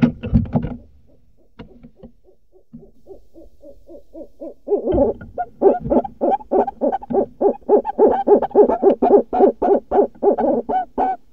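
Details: At a nest box in Eastern Massachusetts in mid-March, at night, a female Barred Owl urges on her visiting mate with a rapid run of hoarse, yelping hoots, about three to four per second, building louder after a brief soft opening burst.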